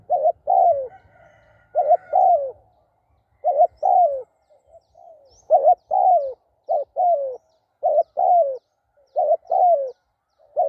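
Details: Decoy spotted dove cooing persistently, about a dozen paired phrases of a clipped hiccup note and a longer downslurred coo, with brief soft coos in between.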